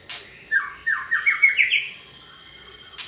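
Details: Caged white-rumped shama, a 32 cm bird, singing indoors: a quick series of about seven buzzy, slightly rising notes, followed by a faint steady tone and a click.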